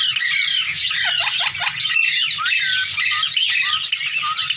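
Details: Indian green ringneck, hand tame, playing with its mentor. Constant high, grating squawks overlap densely for the whole stretch, broken by a few quick falling whistles.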